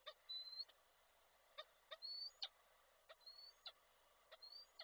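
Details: Male peregrine falcon in Koszalin, Poland, on 16 February 2024, calling the female while bringing a prey gift. Thin, slightly rising whistles, each about a third of a second, come four times, mixed with sharp dry clicks.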